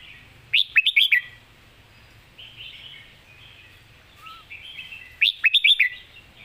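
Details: Competition red-whiskered bulbul delivering its 'phleng mae bot' master song with clear phrasing. Two loud, fast phrases of bouncy warbled notes are heard nearly five seconds apart, with quieter twittering from other birds in between.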